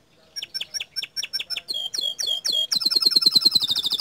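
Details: Bottle-green canary tutor song with provoking bursts: a steady series of crisp high chips about five per second, shifting into swooping slurred notes, then a fast dense high buzzy trill.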